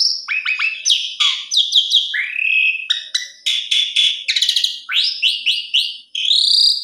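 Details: An Asian pied starling sings a fast, melodious medley of sharp down-slurred whistles, a long rising whistle, harsh rattled bursts and a run of repeated arching notes, ending on a sustained high whistle.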